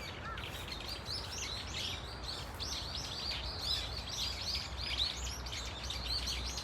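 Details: Brown-eared Bulbul flock at Dunsan Grand Park giving varied calls: dense, overlapping high chirps and short arched squeaky notes, almost continuous, with a steady low background hum.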